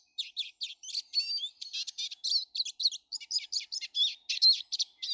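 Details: Twittering song of Eurasian siskins, many visiting a garden daily on 19 March 2013: a fast, continuous stream of high chirps and trills, short syllables tumbling one after another with brief twangy twists.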